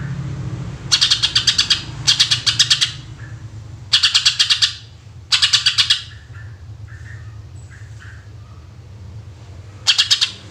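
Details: Greater green leafbird 'tembakan' song for luring birds: sharp chattering bursts of rapid clicks come in quick pairs, then a longer gap with faint softer notes before a final burst, over a low hum.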